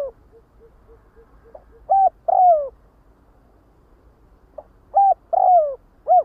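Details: Spotted dove calling the flock with two coo phrases, each a short note, a long falling coo and a final short coo, with soft regular ticking beforehand.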